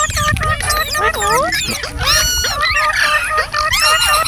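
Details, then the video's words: Chattering from a green parrot, likely rose-ringed parakeet: continuous loud, curving whistled notes and squeaky calls that rise and fall rapidly, densely overlapping throughout, with some low background noise. "Green Parrot Chirping Sounds /Voice | Mitthu Ki Awaaz"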